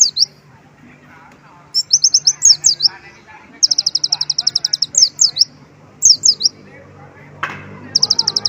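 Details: Sunbird singing loudly, its song filled with mimicked white-eye phrases: rapid high-pitched trills of evenly spaced notes alternating with short groups of sharp downslurred whistles, separated by brief pauses, over faint low background murmur.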